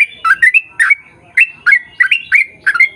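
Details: Chattering yellow-vented bulbul in 'ropel' song, used as a lure: paired bubbly notes sliding up into brief whistles, delivered in quick clusters with short gaps.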